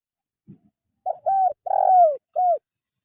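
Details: A spotted dove cooing, played to coax lazy caged songbirds into calling: one phrase of four soft coos, a short note, a medium one, a long sliding coo, then a final short falling coo, after a faint low thump.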